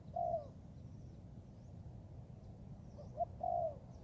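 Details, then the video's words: Spotted dove, a young Thai bird in forest training, delivering a long slurred coo, a pause, then a short note and another drawn-out coo, with low background rumble. "cu gáy 78 ( clip 52 ) thái tơ đag tập rừng"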